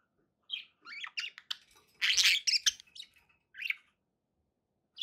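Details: Budgies kept as pets calling indoors: quick rising chirps, a loud harsh burst of squawky chatter in the middle, then a few clear chirps with pauses.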